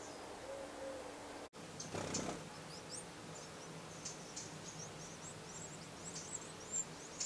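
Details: Eurasian wren brood at the nest, 15 August 2011: after a thump, a soft stream of very high, thin, squeaky chirps begins and repeats rapidly several times a second, growing busier toward the end.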